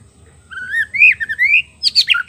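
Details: White-rumped shama song played as a lure for wild birds: long clear whistles sliding upward, a rising warble, then a burst of harsher, broken high notes.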